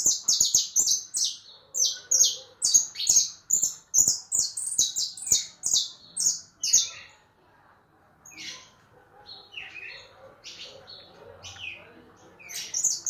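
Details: White, leucistic European goldfinch singing: a fast run of high, scratchy twittering notes with sharp clicks for about seven seconds, then softer scattered chirps and a brief loud twitter at the end.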